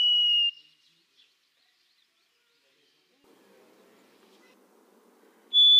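White-throated sparrow: a clear, pure whistled note, then a pause with faint low rustling, before a second, slightly higher whistle begins and is cut off.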